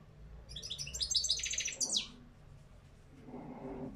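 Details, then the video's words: Caged European goldfinch, apparently the owner's two-year-old parva bird, sings a rapid, bright burst of tinkling, twittering notes ending in a quick descending slur, then a softer, lower sound. The song is offered as training for other caged goldfinches. "غناء طائر الحسون في القفص بتبتة و ستستة"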